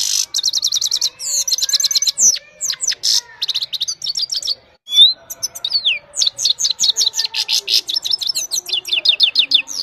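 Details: Himalayan goldfinch singing at evening time, captured on a phone: a long, fast, tinkling run of high twitters, buzzy trills and quick slurred notes, almost continuous with brief pauses, on a quiet background.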